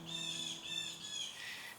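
Blue jays give harsh, raspy jeering squawks in a near-continuous run, set off by a hawk; a low steady musical hum lies underneath.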